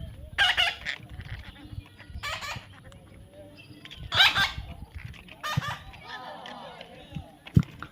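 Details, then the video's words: Baby parrot in taming sessions, uttering a series of four or five hoarse, rasping squawks spaced irregularly over several seconds, mixed with a person's repeated "come on" and background clatter. "natural funny parrot sound"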